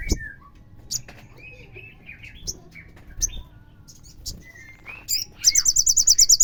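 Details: Crimson sunbird lure song aimed at provoking other sunbirds. Scattered thin chirps and slurred mid-pitched whistles build to a rapid, shrill run of about ten high trilled notes at the end.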